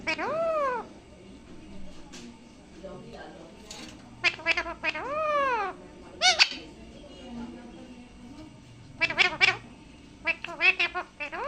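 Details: Parrot talking indoors: loud squawky mimicked words with arching, rising-and-falling harmonic bands, several short bursts and clusters of syllables separated by pauses, with human voices faint in the room.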